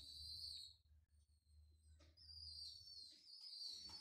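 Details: Homing pigeon chicks being hand-fed after losing their parents when a mosque minaret was restored: faint high thin squeals, one short burst then a longer wavering one, over a steady low hum.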